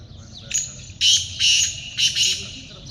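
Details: Grating call of a black francolin (teetar) associated with hunting: one short scratchy note, then two loud pairs of harsh, rasping bursts, fairly evenly spaced, over a soft low rumble.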